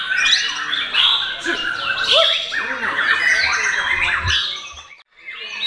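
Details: Young murai, not yet a champion but praised for its style, singing in the hours before the Ramadan fast-break: loud jumbled chirps and swooping whistles that fade and briefly stop before a final burst.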